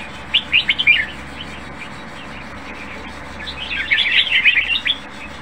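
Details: Caged Red-whiskered bulbul with a good voice, considered near competition-ready, giving two bursts of bright, bubbly chirping phrases, each about a second long, separated by a pause, over a faint steady background hum.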